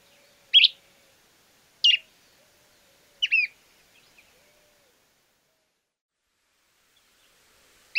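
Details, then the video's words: Stripe-necked Tody-Tyrant from Argentina giving single loud, abrupt, clipped chirps, spaced one to two seconds apart, then a long silent pause before a final note, with no other sounds. "Mosqueta estriada"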